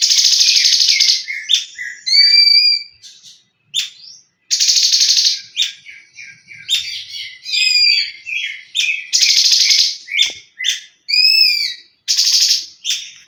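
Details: Long tembakan-style leafbird song: harsh buzzy bursts repeated every few seconds, interleaved with fast whistled trills, slurred notes and chips in a dense, varied outpouring.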